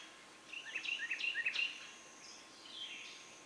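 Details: Baby Northern cardinals fed a big green caterpillar by their mother give one quick run of about eight high, thin chirps lasting about a second, followed by a faint softer trailing chirp against quiet background noise.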